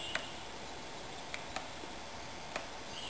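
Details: A Black-backed Woodpecker at Paul Smith's VIC, Adirondack Park, on 2 June 2007 gives four sharp, dry single 'pik' notes, spaced irregularly about a second apart, over a steady background hiss.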